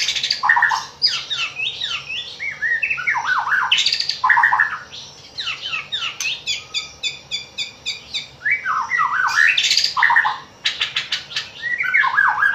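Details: White-rumped shama singing in a recording meant to spur pet shamas into song, morning and evening; loud, varied bursts of whistles, sweeping slurs and a fast run of clipped repeated notes.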